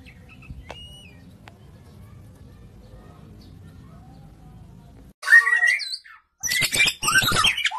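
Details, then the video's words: An Oriental magpie-robin of the blorok variety bursts into loud, fast song after a near-silent start, mixing harsh squawky notes with rich, twisting whistles in two vigorous bouts. "BURUNG KACER BLOROK EXTRIME"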